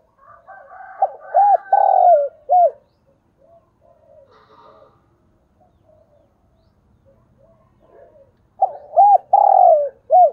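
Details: Decoy spotted dove giving calling coos in thúc bổi style: a mellow low phrase of arched notes around a drawn-out hoarse note, a quiet gap with faint murmuring, then the phrase again.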